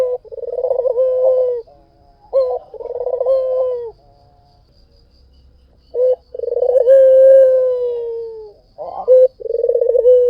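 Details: Bursts of rolling, vibrating coos from a white dove singing vigorously, separated by silent gaps of a second or two. Later comes one long, smooth held coo that gently falls, followed by renewed trilling.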